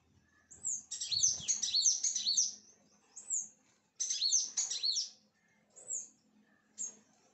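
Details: Sunbirds heard at a home: bursts of sharp high chittering with quick downward-sweeping squeaks, about four notes per second, then a few isolated single chirps over a faint low hum.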